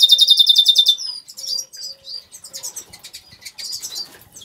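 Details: Caged Major goldfinch, agate colour, in an aviary: one second of rapid rattling buzzy trill followed by liquid twittering, quick chirps and jumbled tinkling phrases, over a faint low hum.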